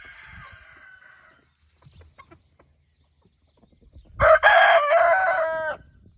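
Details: Rooster in the evening among hens: one loud, harsh crow of about one and a half seconds, ending in a drawn-out tone. A faint crow from a more distant rooster is heard at the start, and light scratching noises fall between them.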